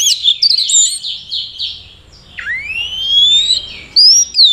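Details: Orange-headed thrush kept in Mojokerto, Indonesia, singing 'teler' style to attract a mate: a chain of falling slurred notes, then a long whistle sweeping steadily upward, and a final high downward-curving whistle.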